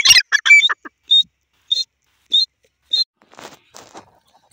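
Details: Grey francolin, described as a female, giving a run of loud harsh calls, then four short clipped high notes about every six-tenths of a second, ending with faint scratchy sounds.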